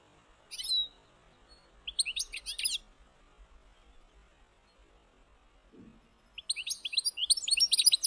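A European goldfinch sings bright, tinkling twitters of quick high notes in three bursts, with a louder run of liquid trills at the end.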